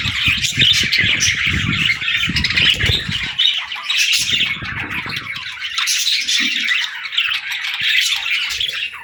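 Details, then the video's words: Playful young budgerigars chirping and warbling nonstop, scratchy overlapping chatter, with bursts of low knocking in the first half that fade away, leaving just the birds' chatter. "Baby Budgies Playing & Talking 🐣🎶 | Fun Chirping Sounds"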